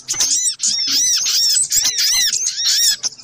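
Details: Little spiderhunter, agitated lure calls: an unbroken wall of high, thin squeaks and arched chips with faint whistled threads on top.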